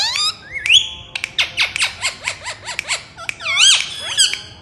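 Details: Pet Indian ringneck parakeet giving a rapid run of squeaky, high chirps and short whistled notes with rising and falling slurs. A few shriller upslurred squawks at the start and end, in a quiet indoor setting.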